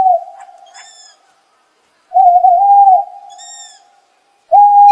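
An owl gives steady, mellow hoots around a single low pitch, with long drawn notes separated by pauses of a second or more; a faint high whistle sounds faintly behind them.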